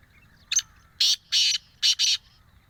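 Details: Black francolin calling in a forest in the morning: a short harsh note followed by four loud, rasping, broadband bursts in quick succession, each a fraction of a second long, over quiet background.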